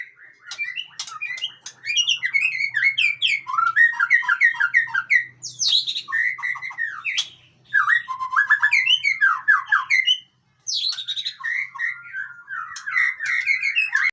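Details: Tough male white-rumped shama of the Aceh type singing a long, rich, varied song of rapid whistled notes, upward sweeps and chattering trills, delivered in bursts of several seconds with brief pauses.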